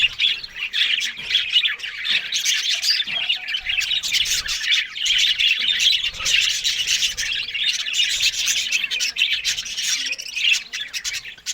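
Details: Several Australian budgies eat green food in the morning, keeping up an unbroken stream of high, twittering warbles and raspy chirps, with no pauses across the recording.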